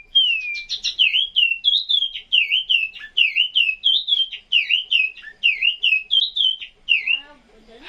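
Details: Chinese hwamei in a cage at 2 a.m., bound for Vũng Tàu, singing a rich, continuous run of varied whistled phrases, rising and falling notes repeated in quick succession, ending with a brief rustle.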